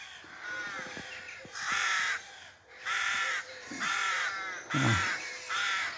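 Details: Rooks calling at a nest being fed in a small spinney in suburban Pulford, Chester, Cheshire, England, just before 6am on 27 April 2024. Harsh, grating caws come in bursts about once a second, with brief faint voice.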